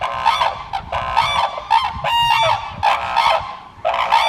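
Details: Red-crowned cranes kept at a crane facility in Soja, Okayama Prefecture, Japan, giving loud, harsh honking bursts rich in overtones, several in quick succession with short gaps, some overlapping, over about four seconds.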